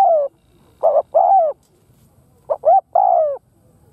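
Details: Spotted dove lure bird calling to draw in wild doves: mellow low coos in phrases of two short notes followed by a long descending coo, pauses between phrases, quiet background.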